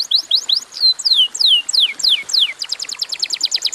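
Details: Canary song, a short bout used to trigger other canaries into singing: fast descending whistled sweeps repeated in series, then a rapid trill of short high notes.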